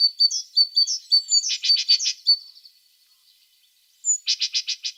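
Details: A tit sings a bright high see-sawing two-note phrase repeated steadily, ending in loud buzzy chattering notes. After a silence, a thin high whistle leads into a fresh series of buzzy, evenly spaced strokes.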